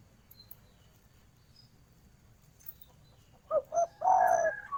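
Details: Female spotted dove calling to a male against a steady low hiss. Near the end come two short coos and a long drawn coo, with faint high thin chirps from other birds.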